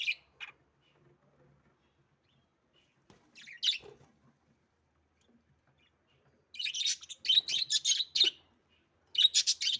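English budgerigars give scratchy, high chirps and bursts of rapid warbled chatter while mating.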